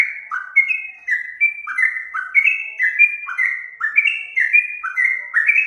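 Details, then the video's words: Sooty-headed bulbul (trucuk) song used for training other birds: a steady run of clear whistled notes alternating between higher and lower pitches, each note sliding slightly downward, delivered quickly without pause. "Masteran burung trucuk"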